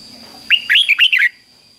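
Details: Red-whiskered bulbul kept in a cage gives a single doubled-style phrase for young birds to copy: a brisk string of about six bright, slurred whistles lasting under a second, with a steady high hum.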